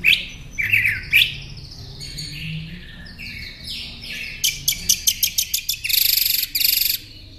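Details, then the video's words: Northern mockingbird as a tutor for caged songbirds: a varied medley opening with warbled phrases, then sliding whistles, a fast series of clicking high notes and a harsh, buzzy high rattle at the end. "Masteran Pintar Burung Kicau Northern Mockingbird"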